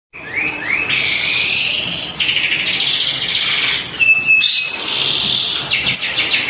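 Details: Panda-coloured canary singing loudly, a continuous high song of rapid trills and rolling phrases with a brief pure whistled note near the middle.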